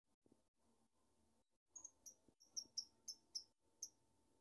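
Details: Pet lovebird, the family's first favourite, giving a run of about eight piercing, high, clipped chirps spaced roughly a third of a second apart after a quiet start, with a faint steady hum behind.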